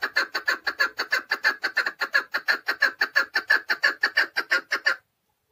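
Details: A caged keklik (chukar partridge) in Tajikistan, 2020, delivers a loud, regular chain of about thirty harsh chuk notes, nearly three per second, ending abruptly in silence.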